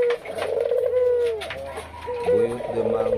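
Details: A captive breeding pair of Barbary doves, one white and one red, give low, mellow, drawn-out coos, each held steady before sliding down and fading, with a man's voice faintly heard beneath.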